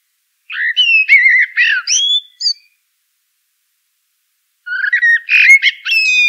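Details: Common blackbird singing: two bursts of rich, fluting warbled phrases around the middle register, each about two seconds long, separated by a pause, ending in higher squeaky twitters; clean background with no other sounds.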